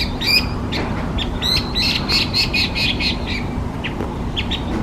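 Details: Chinese hwamei, a designated invasive alien species in Japan: a rapid burst of loud, varied chirps and bright whistles, then scattered softer notes, all over a constant low rumble of background noise.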